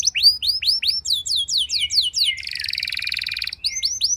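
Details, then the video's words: Singing canary whose song serves to get other canaries singing: a series of curved downward-sweeping whistles, then a dense buzzy trill lasting about a second, then the sweeping notes return; faint low hum behind. "Pancingan Ampuh Bikin Gacor Do0r Langsung Nyaut Burung Kenari Lain Segala Kondisi!"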